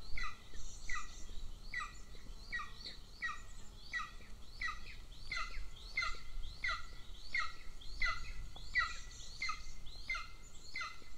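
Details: Golden eagle nestling in Northern Estonia, the smaller chick, begging while the female feeds its elder sibling at the nest; a long, steady series of high, downslurred two-part chirps, roughly one every second, with low background rumble.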